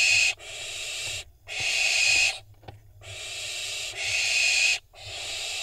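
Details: Fledgling barn owls on an Israeli nest cam, 25.6.21, competing for position before prey is dropped: continuous harsh hissing screeches lasting one to two seconds, separated by short silences.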